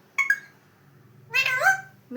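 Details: A pet talking Alexandrine parakeet gives two short harsh chirps, then a longer raspy, speech-like phrase with rising and falling tones, in a small indoor room.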